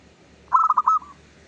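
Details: Dawn song of a local zebra dove used to lure others: a single phrase of four or five fast, clipped coo notes that trails off into a short fading trill, against low background hum.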